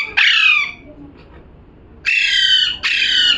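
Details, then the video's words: Parrot calling: three loud, harsh, raspy squawks, each slightly falling in pitch. The first stands alone, then two follow close together after a quiet gap. "#parrot🦜🦜🥰 #calling sound"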